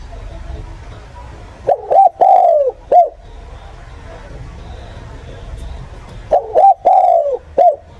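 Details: Spotted dove calling as a catcher's lure: two phrases of soft hollow coos, each a quick double note, a drawn-out falling coo and a brief closing note, separated by about four seconds of low hum.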